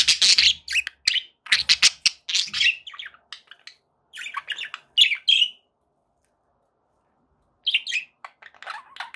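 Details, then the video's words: Pet budgerigars chatter in rapid, scratchy squawks and chirps in irregular bursts, a pause of about two seconds, then more harsh twittering resumes. "budgie sounds"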